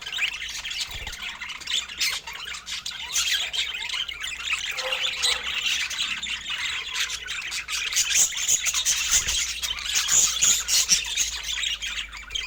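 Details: A long stretch of budgerigar chatter during feeding: unbroken, busy chirps, sharp squeaks and warbled notes from many birds, rising in intensity toward the end.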